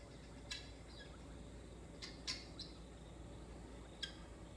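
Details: Guinea fowl coming into a back yard for the night give a few harsh, raspy squawks before bedtime, spaced one to two seconds apart, over a steady low hum of background noise.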